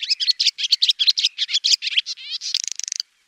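A swallow's rapid, high twittering: a run of chirps and buzzy notes about six per second, ending in a fast dry rattle. No other sounds.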